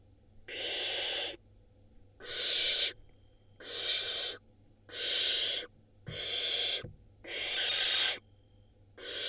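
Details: Barn owl nestling at a nest in Israel, one of a brood from five eggs laid April 2022 and hatched May 2022, gulping down a rodent; loud breathy hiss bursts, each under a second, repeated seven times with short silent gaps.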